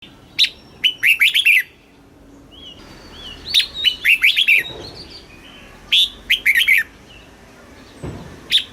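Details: A Red-whiskered bulbul in Thailand, whose recording is played to stimulate other bulbuls or teach young birds, gives bright, bubbly phrases of quick liquid whistled notes in bursts every couple of seconds, with softer answering warbles between.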